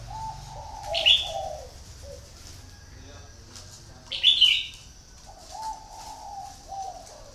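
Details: A decoy red-whiskered bulbul, kept for luring, sings two sharp, bright whistled phrases about three seconds apart, with soft low dove coos before and after.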